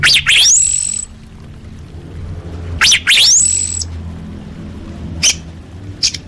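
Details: Orange-headed thrush song used as a lure for caged birds. Loud, bright whistles swoop up steeply and then hold a high, thin note. The phrase repeats twice and is followed by short high flicks over a low background hum.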